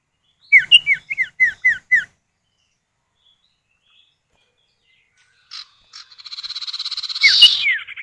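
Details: Male and female common iora calling back and forth as a lure: six clear downslurred whistles in quick succession, silence, then a long buzzy rattle with falling whistles laid over it.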